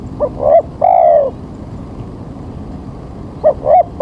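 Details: Early-morning spotted dove call, used to lure birds for trapping while rain threatens: a short rising note, a second note, then a longer falling coo, with the phrase beginning again after a pause.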